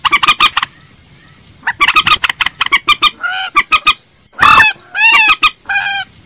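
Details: Common moorhen lure call: quick runs of short, harsh clucking notes in bursts, then longer nasal, ringing calls with strong overtones, one loud broad squawk among them; a clean recording with no other clear sounds.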